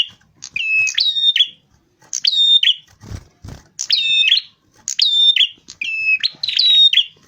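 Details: Rufous-fronted prinia, from a lure recording for attracting birds, repeats short phrases of piercing whistles and chirps roughly every second and a half. Two low dull thumps are heard between phrases.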